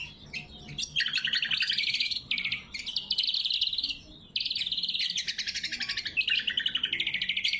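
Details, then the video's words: Lesser green leafbird sings loudly and sharply, for luring rivals and training birds: a few opening chips, then sustained rapid rattling trills, some phrases sliding lower, with only brief breaks. "Suara Burung Cucak Kombo Gacor | Masteran & Pikat Cucak Kombo"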